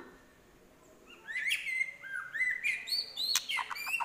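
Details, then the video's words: After a quiet second, a White-rumped shama bursts into fast, varied whistles, slurred sweeps and sharp clicks, mimicking prinia, bulbul and hawk calls. "Murai Isian Prenjak, Kapas Tembak, Elang"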